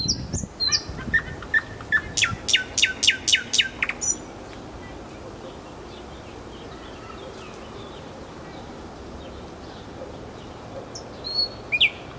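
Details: Nightingale in Kuzminki forest park delivering a rapid rattling series of dry, clicking notes for several seconds, followed by a long quiet stretch and a few faint high notes near the end.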